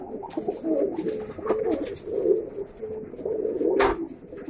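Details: Mukhi pigeons from a collection of red, black, yellow and silver birds: low, rolling coos repeated in overlapping bouts about every second, with a soft rustle and a brief sharp knock near the end.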